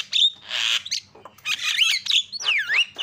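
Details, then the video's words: Javan myna calling as a lure to get other mynas calling: a varied mix of long harsh screeches, sweeping up-and-down whistles and sharp chattered notes in quick succession. "GAK PERLU LAMA BIKIN JALAK KEBO JADI TERIAK"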